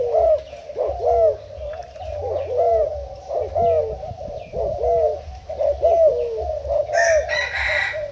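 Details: Decoy spotted dove of Thai type, recorded 10 April 2018, delivering dense rhythmic low coos with a two-note rolling pattern. A brief harsher, higher burst cuts in near the end.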